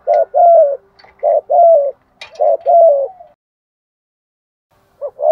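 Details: Spotted dove giving its thúc gù or gáy gọi calling coo: three loud, low, hollow phrases, each a short note followed by a longer wavering coo. A pause follows before the coo starts again.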